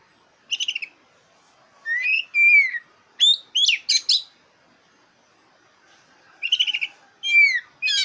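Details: A black-breasted oriental magpie-robin sings a varied phrase meant to spur contest birds into singing: quick rattling bursts, falling whistles and sharp upswept notes, grouped in clusters with a silent gap in the middle.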